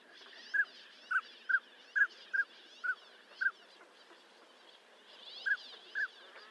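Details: A northern pintail repeats brief, clean whistled notes at a steady mid pitch, about seven in quick succession, then a pause and two more, over a soft hiss of background noise.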